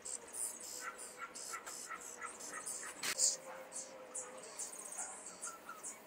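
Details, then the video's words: Caged young common starlings in Liepāja, Latvia, recorded in May 2024: a string of scratchy high rasps mixed with brief thin mid-pitched notes, one louder clatter near the middle, over steady urban background noise. "MĀJAS STRAZDI / Sturnus vulgaris / būrī. Jaunie putni."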